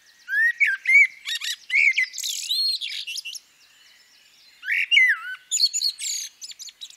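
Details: Female common blackbird delivering two warbled phrases. Each pairs fluty, down-slurred whistles with a dense burst of high, scratchy, chattering notes. A brief quiet pause separates them.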